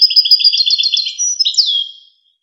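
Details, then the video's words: European goldfinch song used for training young goldfinches and hybrids: a fast run of bright twittering notes, then a sliding downward whistle, clean and free of other sounds. "شريط وكر توزغة الشهير لتسميع فراخ الحسون و الهجين"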